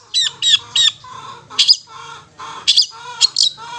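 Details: Ngetet song of a long-tailed shrike, used as a lure to stimulate stressed or mute shrikes; scratchy squawking notes with rising harmonic-rich calls mixed in, uneven rhythm, soft background hum.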